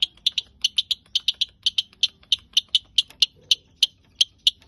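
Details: Long-tailed shrike repeating short, sharp, high clicking chirps in an irregular steady series, about three to four per second.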